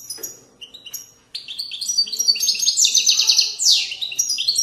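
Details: European goldfinch in Widaniya song, a style from Moroccan valleys: a few scattered high notes build into a continuous burst of bright twittering, buzzy pulsed trills and a steep descending whistle.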